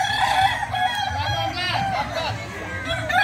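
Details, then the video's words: Kukuak balenggek cocks competing in a training contest at AMKO deliver dense, overlapping crows of quick wavering syllables, over a background of clucking and low droning hum. "Ayam kukuak balenggek"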